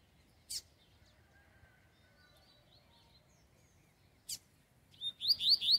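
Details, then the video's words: A rusty-collared seedeater singing a lot during field training gives two sharp isolated chips, then a quick run of high, rising whistled notes, repeated about three times a second near the end. "coleiro cantando muito"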